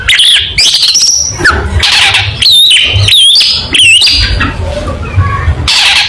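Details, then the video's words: Long-tailed shrike in a 'tembakan' competition song, loud wavering whistles and scratchy squawks in separate bursts, pausing between phrases, with a soft background rumble. "MASTERAN Burung Cendet Gacor Full Tembakan Mewah Materi Lomba"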